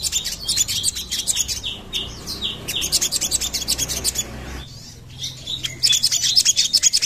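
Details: Busy high chirping from a sogon, quick sharp notes about three per second, with a run of clear down-slurred whistles and overlapping twitters; the sound is used as a lure to attract sogons.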